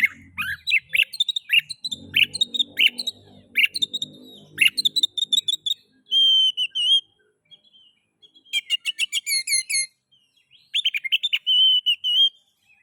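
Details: Kacer, or Oriental magpie-robin, delivering a varied song used to provoke other magpie-robins into singing: rapid chattering notes, sweet sustained whistles and quick repeated clicks, with a low murmuring noise in the background early on.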